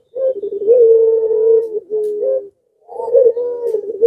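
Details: A Barbary dove (Streptopelia risoria) in breeding excitement gives two long, low, wavering coos, each about two seconds with a brief pause between, a cooing song that prompts nearby doves to call.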